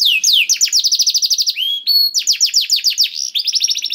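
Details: Canary singing to lure a hesitant bird into song: a falling whistle leads to a fast trill, a brief pause-like slur, then more rapid trilled phrases.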